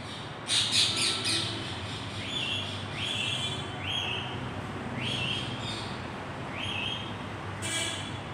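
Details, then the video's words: A wild Indian ringneck (rose-ringed parakeet), which visits daily to meet a pet parrot on a top floor, answers the pet's call with harsh, rising screeches about once a second over a low traffic hum. "Indian Ringneck Parrot responding to a pet parrot's call"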